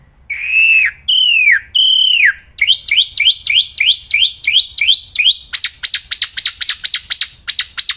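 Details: Loud, nonstop song of a caged black-winged myna outdoors. Three long, drawn-out arched whistles are followed by a rapid series of repeated slurred notes, about two per second, then faster clipped downward notes.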